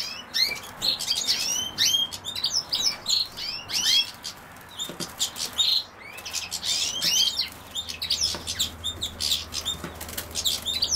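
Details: European goldfinch associated with common sow-thistle, giving a dense, fast twittering of high, sharp chirps and rising and falling slurred notes, delivered in bursts of about one second with brief pauses, over faint low background hum.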